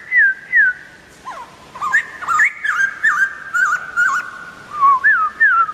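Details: Wild White-crested Laughingthrush singing clear falling whistled slurs, then a busier stretch of quick whistles mixed with short sharp notes, ending with more rhythmic slurred whistles; little background noise.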